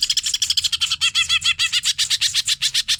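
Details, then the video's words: Hyper song of the cucak ijo, or greater green leafbird, recorded for training birds. Fast harsh chatter runs throughout, with a middle stretch of clear, arched whistled notes woven between buzzy syllables. "CUCAK IJO HYPER GA ADA OBAT GILA"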